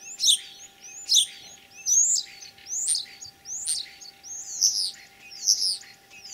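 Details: Common starling in Tver region, Russia, singing on 9 April 2023, a mimic copying other birds' voices. Loud high whistled and chirping notes, repeated about once every second, clear over a quiet background.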